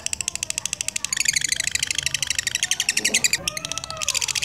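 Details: Lutino black-eyed lovebird, used as a lure to stimulate other lovebirds, in ngekek song. Spaced dry clicks build into a dense, fast, buzzy chatter. The chatter pauses briefly near the end, then starts again.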